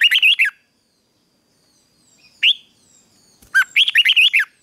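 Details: Red-whiskered bulbul in morning fighting-song training sings a quick warbled phrase, a lone rising note, then a longer run of six or seven bubbling, looping whistles over a quiet background.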